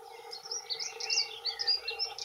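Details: Territorial song of two male dunnocks: quick, high, tinkling warble of short squeaky notes run together without pause, over a steady low hum.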